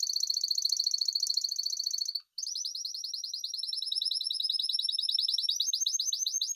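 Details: Spanish timbrado canary delivering a continuous high metallic trill, a brief break, then a long fast series of rising, chattering notes.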